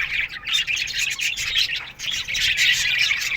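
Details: Flock of Australian budgies in an aviary chirping at morning time, a busy mix of high squeaky notes and scratchy warbling that grows denser toward the end.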